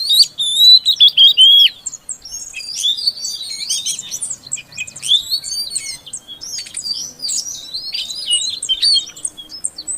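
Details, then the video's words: Female Oriental magpie-robin calling a silent male to make him sing: an opening rush of loud clear whistles, followed by a long lively stream of high chirps, slurs and twitters. "Suara Kacer Betina Untuk Pancingan Kacer Jantan Yang Macet Bunyi Agar Gacor"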